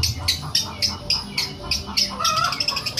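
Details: Long-tailed shrike singing and imitating a cat: a quick run of harsh scratchy notes, about three or four a second, ending in a drawn-out nasal mewing phrase; steady low rumble behind.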